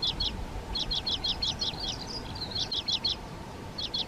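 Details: Rapid series of sharp high notes from a water pipit in the Hrubý Jeseník mountains, Czech Republic, repeated evenly for several seconds against a constant hiss of background noise.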